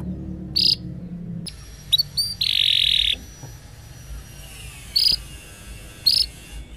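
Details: Pet canary lure recording for young canaries that have stopped singing, made to prompt them into trilled song: short high 'cuit' chirps repeated, a long buzzy dense trill near the middle, then two more sharp chirps over faint background hiss.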